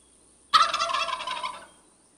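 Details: A single loud turkey gobble: an abrupt, fast gurgling rattle lasting about a second before trailing off into quiet.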